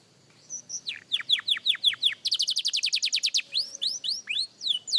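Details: Young canary practising its song: a series of clear notes sweeping downward, then a fast, even trill of short notes, ending with rising, up-slurred whistles.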